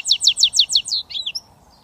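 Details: Switty song from a British goldfinch mule hybrid: six sharp, downslurred high notes in steady rhythm, followed by a brief jumbled twitter and quiet trailing notes.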